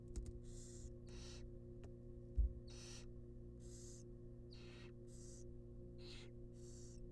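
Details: Barn owl chicks, wild, inside a research nest box while a rabbit is brought as food, give repeated rasping hisses, roughly eight short bursts in seven seconds, plus a single loud knock, over constant low hum.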